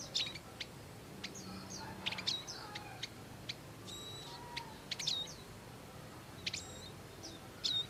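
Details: Bar-winged prinia adults tending young in the wild give quick, high, clipped chirps in loose clusters, some doubled, scattered across several seconds above a constant low hiss, with softer chirping from other birds.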